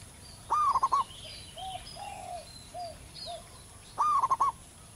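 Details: Zebra dove, local bird in the wild, singing loudly and at length. Two staccato cooing phrases of five quick beats open and close the recording, with gentle lower coos in between.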